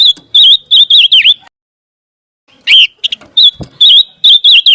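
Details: Scarlet minivet song played as tutoring material for white-rumped shamas to copy for contests: clear, slightly wavering whistled notes in quick bursts of four to five, a pause, then more bursts with short chips. No other sounds.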